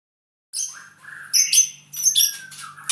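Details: Albino white-rumped shama, an owned bird from Purwokerto, sings a short burst of varied phrases: a high thin note, a falling whistle, then buzzy and chattering notes with short pauses, over a faint steady low hum.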